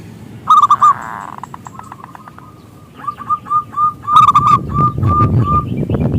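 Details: Zebra dove with a big voice, used to draw other doves into singing. Loud rolling coos at the start and middle, separated by runs of evenly spaced clipped notes, with faint rustling noise.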